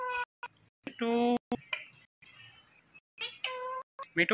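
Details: A pet Indian ringneck (rose-ringed) parakeet talks in short, nasal, speech-like phrases like "mithu" and "metu", each under half a second, separated by brief pauses and soft breathy noises.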